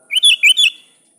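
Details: Sooty-headed bulbul calling to a rival: one quick bubbly phrase of four rich, warbled whistled notes, rising then dipping, under a faint steady high-pitched whine.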